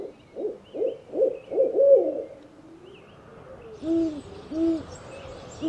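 An owl gives a quick run of five low, throaty hoots, then after a pause two softer, rounded hoots that drop slightly in pitch.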